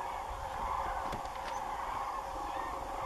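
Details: A large flock of common cranes flying over farmland beside Doñana National Park at the end of the day, calling together in a steady chorus of overlapping trumpeting, rolling calls with no pause, over faint background rumble.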